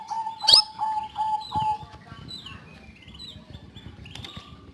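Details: Caged canary singing: a few low, rapid trilled notes repeated about every half second, a sharp high burst, then softer descending whistled phrases at higher pitch.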